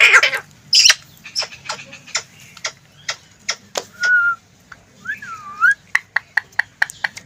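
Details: Green ring-necked parakeet kept as a talking pet, giving a string of sharp tongue clicks with two short whistled notes, one flat and one looping up and down, in a quiet room.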